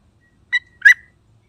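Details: Sooty-headed bulbul giving two loud, rich, slightly rough call notes about a third of a second apart, the second fuller and trailing into a brief steady tone, against near silence.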